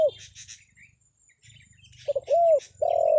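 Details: Spotted dove call used to lure wild birds: the tail of one coo, a pause filled with high chattering of small birds, then a new phrase of quick notes, an arched coo and a long coo.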